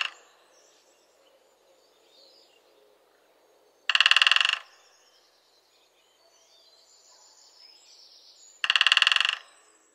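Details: Great spotted woodpecker drumming: two short, rapid rolls of sharp, even knocks, each lasting under a second and about five seconds apart, separated by quiet with faint background bird twitters.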